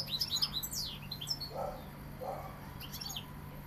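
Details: European goldfinch, described as Sevillian, giving a burst of high, tinkling twittered notes in the first second, a pause with faint lower sounds, then a short twittering phrase near the end over a steady low hum.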